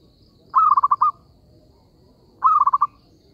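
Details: Zebra dove call used as a lure for trapping: two loud rolling coos, each a short burst of about five quick throbbing notes at mid pitch, separated by a pause of nearly two seconds, with quiet background.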